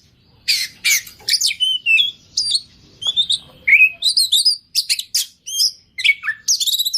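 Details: Kacer (oriental magpie-robin) singing gacor, full of isian: varied chirps, squeaky whistles and quick twittering notes in a busy run, ending in a rapid trill.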